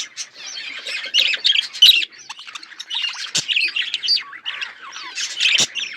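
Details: Budgerigars chirping, scratchy twittering phrases and short squeaky notes in overlapping bursts, fairly steady chatter with occasional louder peaks.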